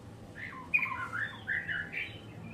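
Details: Kept White-rumped Shama, murai batu, singing a short run of clear, mid-pitched whistled phrases that slur up and down, with one sharp note, over a steady low hum.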